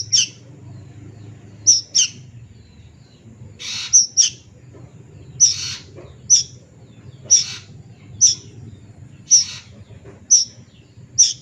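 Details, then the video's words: Juvenile plaintive cuckoo, a bird locally held to be mystical, gives sharp high chirps about once a second, with hoarser broadband bursts between some of them over a low background hum. "SUARA BURUNG KEDASIH ANAK'AN"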